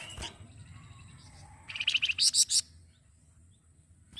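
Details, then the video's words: Flamboyan singing, kept as a tutor song for other birds: a quick series of clipped chirps followed by several loud, very high, sharp notes in a burst, then quiet with faint hum. "KICAU APIK UNIK DARI BURUNG MASTERAN FLAMBOYAN"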